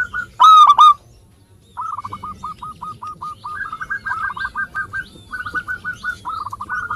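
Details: Local zebra dove used as a singing lure for lazy birds: one loud rolled coo, a pause, then a long, rapid series of short hooked notes, several birds seemingly overlapping at slightly different pitches.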